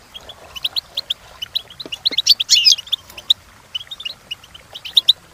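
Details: European goldfinch song for training, high rapid twittering chirps with a louder buzzy flourish in the middle, then lighter scattered notes.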